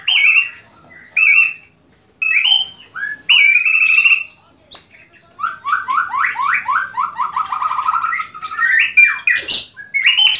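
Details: White-rumped shama kept at home, singing clear whistled phrases separated by pauses, then a long varied run of rapid warbling notes rising and falling, with a few sharp clicks.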